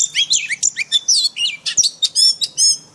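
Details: Oriental magpie-robin singing in forest-voice style, played for daily training of caged birds: a dense, fast run of high whistled and buzzy phrases, rising and falling sharply, with barely a pause between notes.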